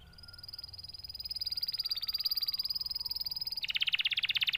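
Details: Canary singing a thin, high, level whistled trill that steadily grows louder, then breaking into a lower, rougher rattling trill at the end.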